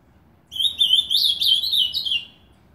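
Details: Caged ultramarine grosbeak in Novo Hamburgo, southern Brazil, hanging on a nail at a house: a single clear, rapid warbled phrase of slurred high notes, about two seconds long, then silence.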